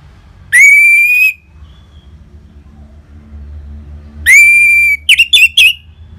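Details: Orange-headed thrush singing in the ngeplong manner, played to spark song and breeding mood in caged birds: two drawn-out level whistles a few seconds apart, the second followed by a rapid run of short chirps.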